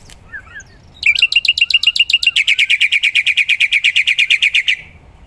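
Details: A black-winged myna's vigorous song, recorded as training material for other songbirds. Faint chirps open it, then a long, fast, even run of sharp ringing notes, about four a second, lasting nearly four seconds.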